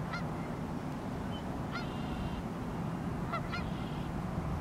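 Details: Geese on the Pend Oreille River, North Idaho, on a very cold morning give short, nasal honks, about four in under five seconds, some doubled, over a steady low rumble of wind or water.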